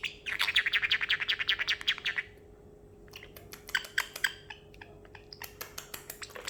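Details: Caged pet parrotlet in a high mood after treats and almonds, imitating water: a fast two-second stream of regular, crackling high pulses, then scattered sharp clicks and drips with quiet gaps.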